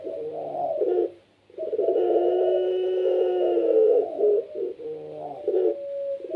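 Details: Kept puter pelung, a Barbary dove cooing in lively gacor style that sets other doves calling; a short low coo, a pause, then a long unbroken rolling coo and several clipped closing notes.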